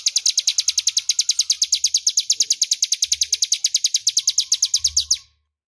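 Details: Loud, clear ngebren song of a crescent-chested warbler, a master recording for magpie-robins: over five seconds of rapid, regular high chips at roughly three per second, ending abruptly in silence; soft low thuds beneath.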